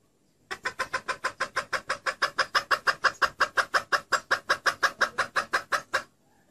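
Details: A female red junglefowl gives a fast, steady run of about thirty harsh clucking notes, roughly five per second, against a quiet background, a call used to lure in males.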